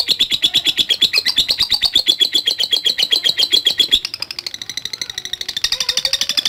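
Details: Long ngekek from a lovebird, ngetik style, played to provoke other fighter lovebirds: four seconds of fast, sharp, buzzy pulses, then a softer, higher, more scratchy rattle with a brief whistled note near the end.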